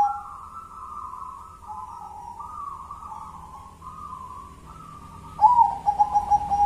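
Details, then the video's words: Local natural zebra dove song in the ngelaras style, one-and-a-half engkel rhythm: a string of soft mellow coos at a steady mid pitch, stepping slightly up and down, ending in a louder burst of quick cooing notes. "Suara perkutut adem di hati ngelaras 1 stgh engkel"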